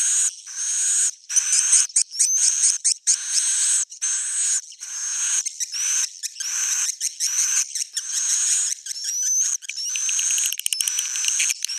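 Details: Swiftlet calls billed as the original old-style sound: shrill, high twittering in long overlapping phrases broken by brief gaps, with occasional thin rising whistled notes laced through the chatter.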